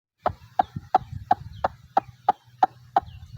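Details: White-breasted waterhen in Bangladesh, a waterside bird, giving a quick series of sharp, mid-pitched, knocking notes, about three each second, roughly ten in all, over a soft low rumble in the background.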